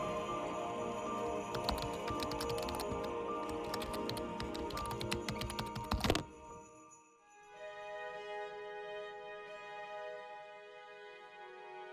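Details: Music with sharp rhythmic clicks for six seconds, then sustained tones alone; no animal sound.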